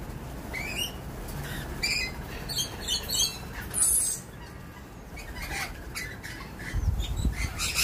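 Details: Lorikeets at dawn give harsh, screechy squawks and shrill chirps in quick bursts, with a low rumbling background throughout.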